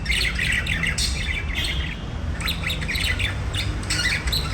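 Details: Budgerigars warbling and chirping in lively, scratchy bursts of chatter, pausing briefly before resuming with rapid squeaky notes; a low rumble runs beneath.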